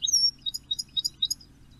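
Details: European goldfinch singing from a perch at 06:16 on 14 May near Poole Harbour: a thin high whistle, then a few short tinkling chirps spaced about a quarter second apart against a quiet background.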